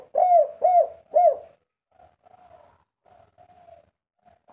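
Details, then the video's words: Spotted dove in an agitated three-note cooing bout: three strong low hoots in quick succession, followed by faint, softer cooing fragments and one more strong note at the end. "derkuku tekukur kuk 3 ngamuk gacor"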